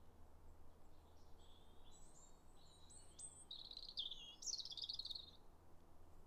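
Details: Winter territorial song of a robin along wooded farm paths, 9 January 2022: a run of thin, quick high notes building into a brighter, fluttering trill near the end, with faint low hum beneath.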